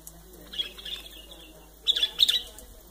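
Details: White-eared bulbul, also called white-cheeked bulbul, giving two short bursts of bright, chattering chirps about a second apart. The second burst is louder and quicker, over a quiet background.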